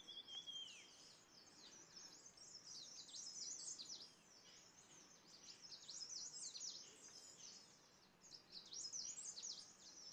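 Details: Green-backed tit in Landour, Indian Himalaya, feeding on a Himalayan cedar pine-nut, giving thin, high chirps in quick clusters every few seconds, opening with one clear falling whistle, over soft background hiss.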